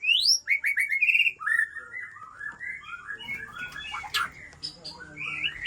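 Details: White-rumped shama of the Aceh type, an original breeding parent from Lamteuba, singing a rich varied song: clear whistled notes rising high, then a run of quick descending slurred phrases, softer and more jumbled toward the end.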